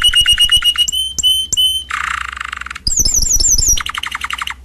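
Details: Canary singing a varied phrase: a quick run of clear whistled notes, a low buzzy rattle, high rapid twittering chips, then a brisk chopped trill, every part loud and fast.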